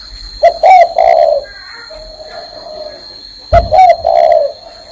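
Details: Spotted dove cooing while perched on a hand. Two matching phrases about three seconds apart, each a clipped opening note, a rising-falling middle note and a long low hoarse coo. Faint talking between them.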